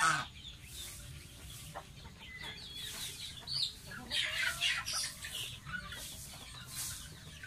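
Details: Young pet goose bathing, giving clusters of shrill descending peeps, louder in the middle stretch, with bursts of splashing and dripping water throughout.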